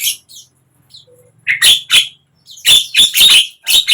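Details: Javan myna song used to stir a mute bird into singing: a few faint notes, then loud scratchy squawks and a tight cluster of rasping, chattering phrases.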